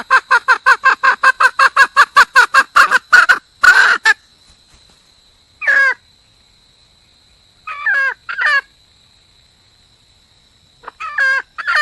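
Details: Wild red junglefowl hen calling for a mate: a fast run of harsh, harmonic cackling notes for about four seconds, then scattered paired clucks after pauses, with a faint steady high whine in the background.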